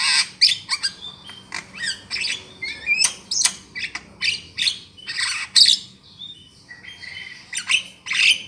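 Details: Trapping lure of Javan myna: irregular rasping squawks and chattering notes with occasional thin whistles, continuing throughout.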